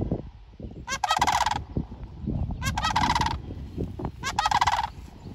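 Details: Sandhill Cranes at a strawberry farm give three loud, rolling, rattling bugles, each under a second and about two seconds apart, over a steady low rumble of wind or traffic.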